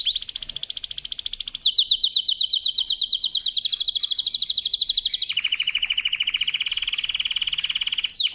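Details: Powerful canary song used for training: long rolling trills in three sections, each a rapid pulsed tour stepping lower in pitch, the notes repeating very fast and evenly.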